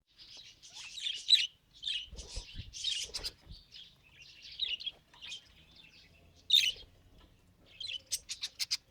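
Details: Pet budgerigar trying to talk: a run of scratchy, buzzy chirps and warbled notes in short bursts, with brief gaps and a quick flurry of clicks near the end.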